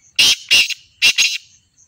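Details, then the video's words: Black francolin calling: four harsh, grating, high-pitched notes in two pairs, each note short and rasping, with a short pause between the pairs in an otherwise quiet setting. "Kala Teetar Ki Awaz"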